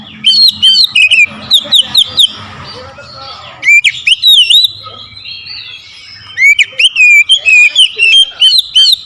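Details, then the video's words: Agitated oriental magpie-robin singing hard against a rival: three loud bursts of varied whistles, upslurred and downslurred notes mixed with harsh chips, separated by short pauses, over faint low background rumble. "KICAUAN KACER POWER KERAS | MEMANCING EMOSI KACER LAWAN LANGSUNG NGOTOT BONGKAR ISIAN"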